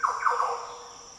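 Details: Green Oriole in the Daintree rainforest, Australia, giving one brief deep, liquid, fluty phrase that slurs down then rises in a quick rolling burst, over a steady high insect hum.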